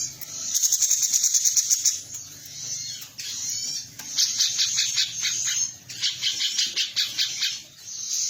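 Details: Caged-training master call of a female cucak cungkok: a fast rattling trill of sharp clicks, then repeated bright buzzy bursts in rhythmic groups, with faint low hum beneath.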